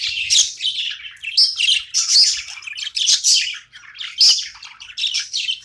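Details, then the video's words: Budgie chirping during play time, repeated bursts of scratchy, high warbling chatter with whistled squeaks, each lasting under a second, in an indoor room. "My cute budgie's playing time"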